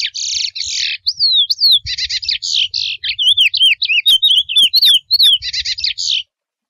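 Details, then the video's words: Wild chestnut-bellied seed finch singing a mateiro-style song: buzzy, rattling bursts alternate with clear slurred whistles sweeping up and down, delivered in a rapid continuous phrase of about six seconds with short gaps. "CANTO do CURIÓ SELVAGEM MATEIRO: CANTO NATURAL e LINDO!"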